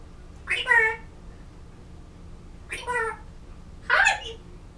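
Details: African grey parrot kept indoors, trying to sing a Disney song and practicing words in November 2011; three short bursts of harmonic, voice-like mimicry spaced about a second and a half apart over a quiet room.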